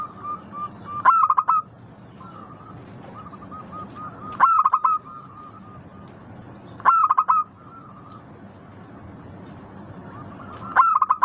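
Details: Local zebra dove with a crisp, clear voice singing four spaced phrases, each an abrupt flurry of staccato coos followed by quiet, evenly repeated notes and short pauses.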